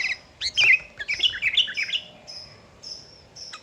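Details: Sooty-headed bulbul song meant to draw rivals into singing: a short cluster of sharp, bubbly chirps and slurred notes, followed by faint, thin high whistles.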